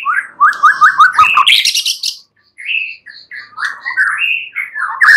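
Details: White-rumped shama singing at night, a lure recording meant to make other shamas answer: a rapid run of five rich warbled notes near the low end, then a buzzy high burst, a pause, and varied fluty phrases.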